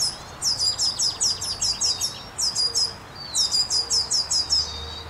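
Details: Baby birds in a nest in a forest: high, thin chirps repeated rapidly in two long series of about ten notes each, separated by a brief pause, over a faint steady background hiss.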